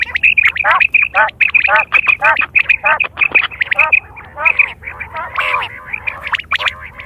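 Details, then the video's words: Quail calling in September 2023, a sound used for hunting and mating: quick runs of clipped, nasal, ringing notes, closely packed and overlapping, with louder chattering near the end. "Quail fresh sound sep 2023/ batair ki awaz"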